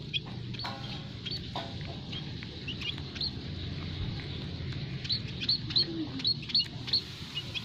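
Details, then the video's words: Munias in an aviary, white-headed, scaly-breasted and Javan, calling as a trapping lure: scattered faint tweets, then a run of six crisp high chirps spaced roughly half a second apart near the end, over low hum. "burung emprit kaji,emprit peking,emprit jawa full masteran kicau pikat paling ampuh"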